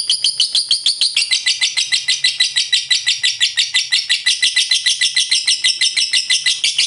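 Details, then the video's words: Long ngekek chatter of a lovebird, used to goad other lovebirds into fighting song: an unbroken, rapid, shrill rattling trill, about three pulses per second, high and harsh throughout. "Suara Lovebird Ngekek Panjang Durasi Mantab, 100% JITU Memancing LB Jadi FIGHTER Rajin BUNYI"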